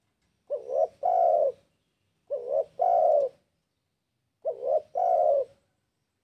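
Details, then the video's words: Spotted dove (tekukur) in breeding condition calling toward a rival: loud, low cooing phrases, each a short rising-falling coo followed by a longer sustained coo, repeated about every two seconds, clean background. "Suara TEKUKUR Gacorr BIRAHI Manggil LAWAN AUTO EMOSI"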